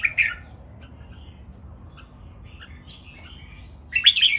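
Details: Three red-whiskered bulbuls singing in competition, a counted-phrase master song style. A sharp warbled phrase opens, thin faint notes fill the middle, and another loud bright phrase closes.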